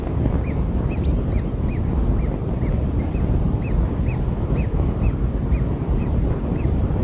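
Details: Soft, fairly faint arched chirps from newborn kingfisher chicks fed black insects repeat steadily about every half second against a heavy low-frequency rumble.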